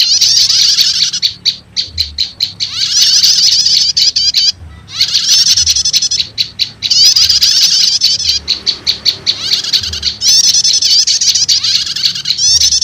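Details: Lure recording of prinias, prenjak lumut combined with prenjak setater, for calling wild prenjak lumut: bursts of shrill, fast-repeated notes alternate with long rattling trills over several seconds, with a soft steady hum below.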